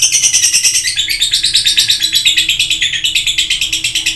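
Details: Lovebird singing intensely and without pause: a fast, high, shrill chatter of squeaky chirps, about three notes every second, that runs on steadily throughout.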